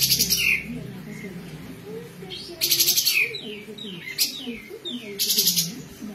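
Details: Kapas tembak bird in besetan song, suitable as a master voice for magpie-robins and green leafbirds: bursts of rapid buzzy chatter at start and after a pause, separated by quick down-slurred whistles, with low warbling in the background.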